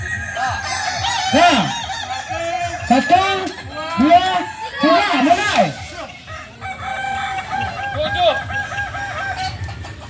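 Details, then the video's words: Kukuak balenggek roosters at a training competition at AMKO, crowing in long wavering, stepped phrases that overlap, several birds calling at once, with a person counting down to start the round. "Ayam kukuak balenggek .. akb ... Latpres di AMKO.."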